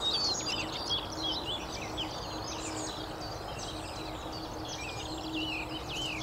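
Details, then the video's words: Skylark song, somewhat spoiled by human traffic noise: a steady cascade of bright, jangling high notes and short slurred whistles, delivered rapidly and without breaks over a broad background hiss. "THE CHEERFUL SKYLARKS"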